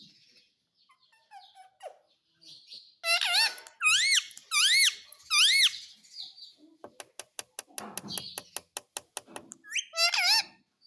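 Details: Pet parrot talking: three loud, rising-and-falling speech-like syllables, then a run of evenly spaced sharp clicks, ending with another bent tonal call.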